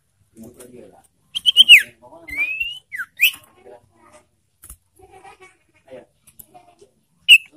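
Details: Ashy tailorbird lure call meant to provoke birds and stimulate breeding arousal: a quick cluster of shrill chirps, then a rising whistled slur and a falling note, followed by scattered soft ticks and one final sharp chirp.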